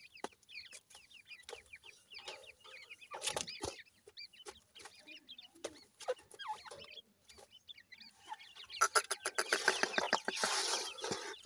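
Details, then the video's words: Grey francolin chicks chirping while feeding, clear rising high notes early on, then masked by loud rapid clicking and rustling noise toward the end. "francolin tetar chicks voice"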